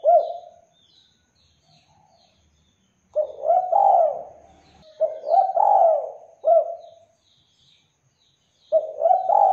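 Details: Spotted dove song used as a lure for other doves: a trailing coo, then repeated phrases of soft, rolling coos, each with a long drawn middle note. Scattered high bird chirps sound faintly.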